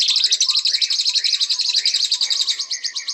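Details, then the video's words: A white-rumped shama delivers a continuous fast, high-pitched rattling trill, about four notes per second, with faint lower whistles underneath. "Beautiful Birds Chirping Murai Batu"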